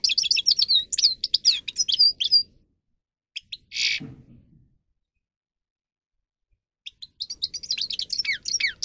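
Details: Grey-crowned goldfinch singing in bursts of quick twittering trills, pausing for several seconds after a short harsh buzz, then resuming with another tumbling twittered phrase.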